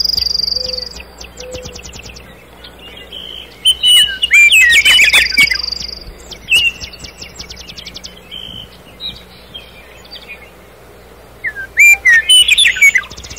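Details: Nightingale in a night forest delivering varied phrases: pure whistles, rapid rattling note series and buzzy trills, separated by pauses, with a faint low hum throughout.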